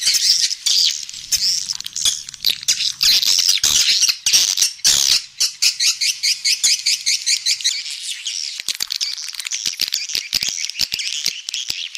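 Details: Swiftlets' roosting call, a lure for a three-storey swiftlet house to draw the birds in to roost: dense, high, buzzy twittering in rapid irregular bursts, with sharp clicks early on and steadier chattering toward the end.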